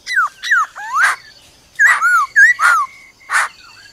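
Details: Forest-style song of a black-throated laughingthrush: quick descending whistled slurs alternate with broad raspy bursts in two tight phrases, then a single harsh note near the end.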